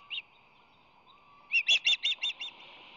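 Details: Two osprey nestlings, five and six days old, during their first week in the nest. A single short chirp, then a quick run of six high, slightly buzzy chirps, over a steady tonal hum.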